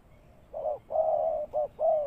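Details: Spotted dove acting as a ground lure for trapping, giving a brief low coo phrase of a short note, a long sustained coo, and two more short notes.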